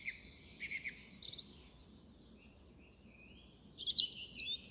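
A song thrush sings bright, high phrases: a few sharp chirpy notes, a ringing burst, a thin rising whistle, then a quick jumbled flourish over faint background hiss.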